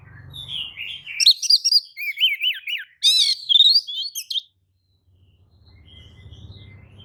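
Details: Oriental magpie-robin lure song that provokes rival magpie-robins into agitated reply: a fast tumbling run of wavering whistles, buzzy high notes and sharp chirps lasting over three seconds, followed by quiet with faint low hum.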